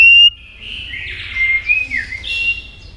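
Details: White-rumped shama song, used for voice training and to rouse birds into contest singing: smooth whistled notes, a clear high tone at the start followed by gliding, slurred phrases, quiet in the background.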